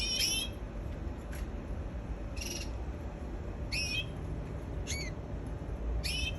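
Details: Canary singing: short sharp twittering phrases of stacked, downward-sliding whistled notes, about six bursts with gaps between them, against a steady low background rumble.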